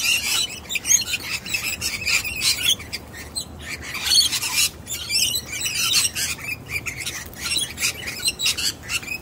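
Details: Young wild sulphur-crested cockatoo, uninterested in a hidden-nut trick: rapid, harsh, scratchy squawks and chatter in short bursts, with no other clear sounds.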